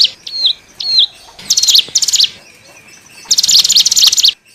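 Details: Wild-bird lure call of the hill prinia, called cigun: two clean falling whistles open, followed by two longer bursts of rapid, buzzy, high-pitched repeated notes.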